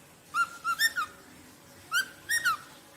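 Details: Rosella giving two short phrases of clear whistled notes, each phrase of two or three flat and arched whistles, about one and a half seconds apart, in a quiet setting.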